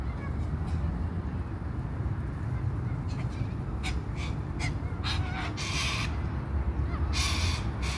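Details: Cockatoos at a shopping centre car park in Brisbane, Australia, give harsh, raspy screeches in a few bursts, the longest lasting about a second, over a steady low rumble of traffic.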